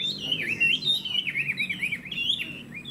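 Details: Chinese hwamei, caged in Vietnam, giving a short series of bouncing whistled notes that dip and rise in quick succession, loud and clear.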